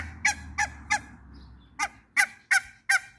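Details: In a backyard where two males and a female of hybrid runner and mallard ducks meet, a mallard gives harsh, nasal quacks: three in quick succession, a pause, then four more at about three per second, over a faint hum.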